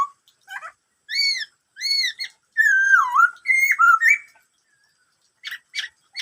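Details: Black-throated laughingthrush delivering "bắt cô trói cột" style song: repeated arched whistles, then a long dipping phrase and twisting notes, followed by a pause and three faint high chips.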